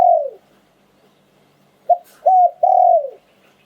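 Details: Spotted dove in liu tan song style, kept as an auspicious bird. The tail of one falling coo is followed by a full three-part phrase: a clipped note, a short coo and a long drawn-out descending coo.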